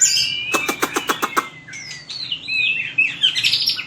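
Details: White-rumped shama in fighting song (hót đấu), for training: a series of about seven sharp clicks, then long sliding whistles and twisting melodic notes.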